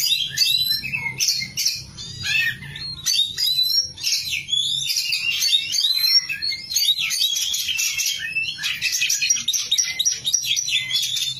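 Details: Oriental magpie-robin (kacer), a caged competition-ready bird in full song: dense, loud, continuous run of varied whistles, rapid chattering trills and sharp chirps, high-pitched and rich, with faint low hum in the background.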